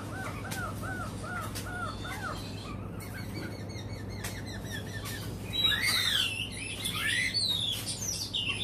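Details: White-rumped shama from Cat Tien, pitted against a recording: a row of soft arched whistles repeated about once every half second, then a loud, rich burst of complex warbled phrases.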